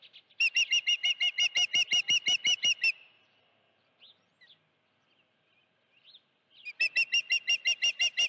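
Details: Osprey at the Dunrovin Ranch nest with a live fish, 16 June 2019, afternoon. A quick series of piercing whistled chirps, a lull with faint single notes, then another rapid chirping run.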